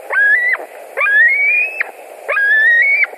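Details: At a white-tailed eagle nest in Latvia, 21:09 on 11 July 2020, with an adult back for dinner: three drawn-out, slightly rising whistles with a sharp onset, roughly one per second.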